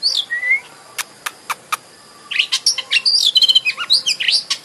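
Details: Oriental magpie-robin (kacer) lure song for triggering a bird to sing and open its tail: a slurred whistle, a few isolated clicks, then a fast varied run of sweet whistles, chirps and trills.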